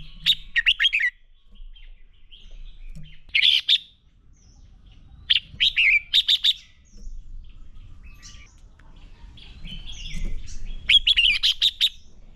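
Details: Decoy red-whiskered bulbul in fighting song for training birds: rapid chattering runs of bright whistled notes in several bursts, separated by short gaps, with faint scattered chirps and a low hum.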